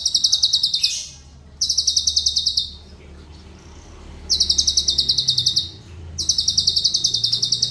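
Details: Cucak cungkok, prized as a vocal tutor for songbirds, delivering loud, sharply pulsed high trills of about a second each, four bursts separated by short silent gaps, with faint low hum beneath.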